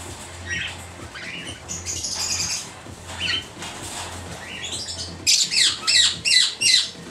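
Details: This year's young red-winged parrots, Aprosmictus erythropterus, 2014: scattered scratchy calls, then a run of five loud, harsh, evenly spaced squawks near the end over a faint low hum.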